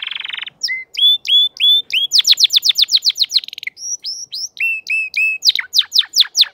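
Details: Crested canary in full form singing: a brief buzzy rattle, then bright whistled upslurred notes, a fast run of descending sweeps and more repeated clear whistles, varied phrases packed closely together.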